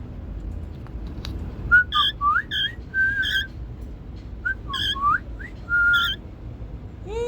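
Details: Pet cockatiel being tamed, shifting from hissing to happy sounds; a series of short whistled notes, some rising, some slurred, with one long flat whistle near the end, in a small indoor room with faint speech.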